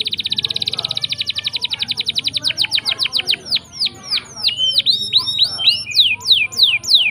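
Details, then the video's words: Canary singing a long rolling song meant to provoke silent canaries into singing: a very rapid high trill slowing into repeated down-swept chirps, then loud sharp swooping notes with faint low background hum. "Pancingan Kenari Gacor Ngeroll panjang!! Buat Kenari Macet Bunyi pun Langsung Respon"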